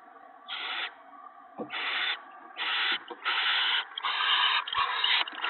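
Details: Owls at a nest on a March 2017 evening, with the male delivering mice and a rabbit to his mate and owlets. Harsh, rasping hiss-screeches repeat in short bursts, growing longer and nearly continuous toward the end.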